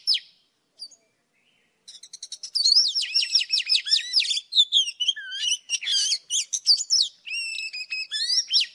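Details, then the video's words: Old wild Oriental magpie-robin singing in the morning, a recording used as a trapping lure: a few sparse high notes, then a fast ticking run leading into loud, varied whistled phrases with sweeping rising and falling notes. "Tiếng chòe than già rừng hót buổi sáng cực hay"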